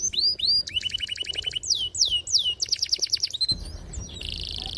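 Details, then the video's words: Canary song used to train young birds: looping whistles, a rapid pulsed trill and repeated sweeping slurs, ending in a buzzy high trill with some low background noise. "PANCINGAN KENARI GACOR PANJANG || PANCINGAN KENARI PAUD BELAJAR BUNYI || MASTERAN KENARI PAUD"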